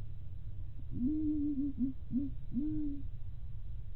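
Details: Local zebra dove, a prized decoy bird with a loud voice, cooing indoors: a long level hoot followed by three or four short clipped notes and a final drawn-out coo, low and mellow, with a steady low hum behind.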